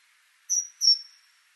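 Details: Great tit (Parus major) giving one brief phrase of two bright, high whistled notes in quick succession, the second trailing off, over quiet background noise.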